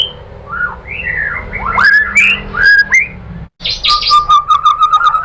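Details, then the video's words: Murai batu, the white-rumped shama, in lure song meant to draw a singing response: varied slurred whistles, a short break, then a fast even trill of repeated notes at one pitch. "bikin MURAI BATU jadi NYAUT GACOR BONGKAR MATERI TEMBAKAN ¦ PANCINGAN MURAI ¦ SHAMA BIRD"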